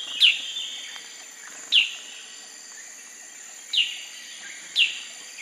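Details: Black-crested bulbul uttering sharp, high, downslurred notes, each with a short ringing tail, four times at uneven gaps of one to two seconds over a constant high hiss.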